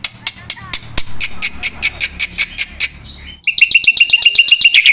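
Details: Black-winged starling song for training songbirds: evenly spaced sharp notes about three per second over a faint low hum, then a faster, brighter rattle of chirps.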